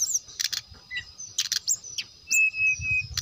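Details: Brown-chested jungle flycatcher in full gacor song meant to trigger rivals into singing: scattered high chirps, sharp broadband clicks and one long level whistle near the end, with a faint steady high hum and low rumbling.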